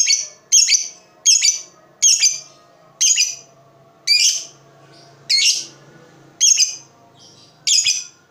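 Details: Pet lovebird used as a lure to stimulate silent lovebirds into lively song, giving a steady series of nine sharp, high, buzzy chirps, each under half a second, spaced roughly a second apart.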